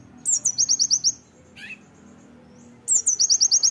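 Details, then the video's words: Oriental white-eye song used as training material: a rapid burst of six or seven very high, thin, slurred whistles in about one second, a short pause with a single chirp, then another fast burst. "ISIAN TEMBAKAN PLECI"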